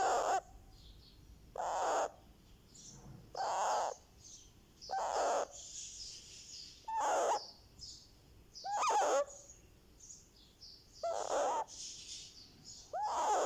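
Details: One-month-old Indian ringneck parakeet chick getting a head massage, giving a steady run of raspy, noisy calls roughly every one and a half to two seconds, some with rising whistled edges.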